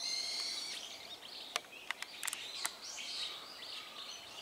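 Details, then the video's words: A flock of Azure-winged magpies (Cyanopica cyanus) calls together in overlapping high, raspy chatter, with several sharp, abrupt call notes bursting out over a steady hiss. "オナガの群れGroup of Cyanopica cyanus"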